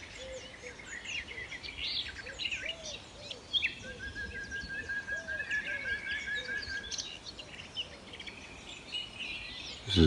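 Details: A Common Nightingale in Kent woodland, where three sing within a hundred metres, sings rich, varied phrases with a long, even trill in the middle, over a busy woodland chorus and low, repeated hooting notes.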